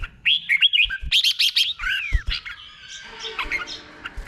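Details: Red-whiskered bulbul kept as a cage bird, singing the slow, clear doubled 'boen' song style used to teach other caged birds: quick bursts of slurred, bubbly whistles, then a long falling whistle and softer warbling phrases.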